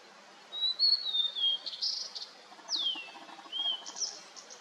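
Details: Blue-and-white flycatcher singing in fog-covered mountains just after rain, where Narcissus flycatchers and buntings also sing; clear high whistled phrases, long slurred notes sliding downward, short buzzy bursts between them, over a faint quiet background.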